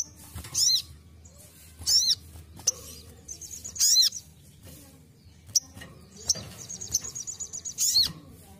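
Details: Ruby-cheeked sunbird giving its basic song: sharp, very high, thin notes in short bursts roughly every two seconds, with a quick twittering run partway through.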